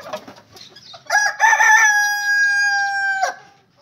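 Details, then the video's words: A rooster gives one loud crow, starting rough and broken, then settling into a long steady held note about two seconds before cutting off, with soft clucking noises beforehand. "Rooster Sound"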